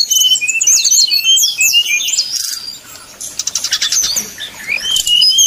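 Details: Sumatran red-crowned leafbirds fighting at a song contest, a simulation meant for training a leafbird's nerve: dense, rapid high whistles and chattering trills overlap, with sliding notes and buzzy bursts throughout.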